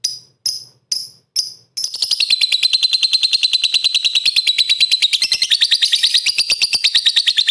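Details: Four sharp, high chirps spaced about half a second apart lead into a continuous rapid chattering trill from a lovebird singing 'gacor' style, a provoking song meant to stir rival lovebirds into singing.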